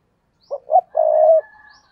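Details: Decoy spotted dove used to draw in wild doves, cooing once: two brief low notes quickly followed by a drawn-out, even, mellow coo that fades at the end; no other sounds.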